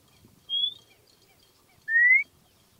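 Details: White monjita: two clear, pure whistled notes, the first short and high with a slight rise, the second lower and longer, sliding steadily upward, separated by over a second of quiet.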